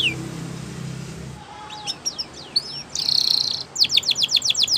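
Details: Canary song used for training canaries to sing: after a low hum, scattered high chirps and thin sweeping notes, then a bright buzzy burst and a fast run of repeated downward-sweeping notes.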